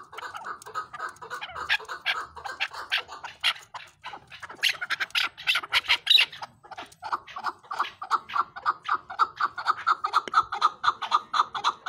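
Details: Chukar partridge calls in a long, dense stream of rasping notes, mixing lower clucking pulses with sharper, higher chucks, several overlapping at times, about four a second.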